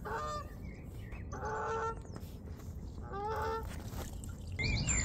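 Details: Honking geese heard behind a swan feeding on seeds: three drawn-out, harmonic nasal honks roughly a second apart, then a higher squeaky call near the end, with constant low background rumble.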